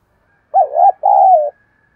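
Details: Spotted dove cooing to stir a newly caught bird into calling, praised for a fine voice: two mellow coos, the first wavering and arched, the second longer and level, then silence.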